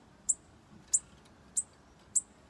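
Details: Bananaquit at a campeada, four very high, sharp ticking notes evenly spaced about two-thirds of a second apart over a quiet background.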